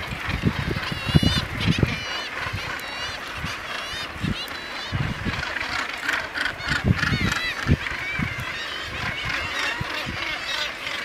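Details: A dense common murre colony on Helgoland, with some razorbills and bridled murres among them, gives overlapping harsh, growling calls over low rumbling thumps, likely wind or surf.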